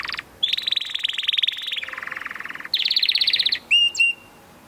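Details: Canary singing a loud, rapid song of fast trills, a high rolling trill shifting to a lower buzzy trill, then a brighter trill and a few sustained whistled notes at the end.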